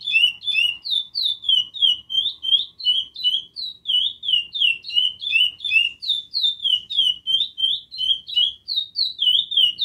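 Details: A Chestnut-bellied Seed-Finch (curió), described as singing a lot, sings a long, rapid run of clear, sweet whistled notes, each sliding down, about three per second, with no other sounds.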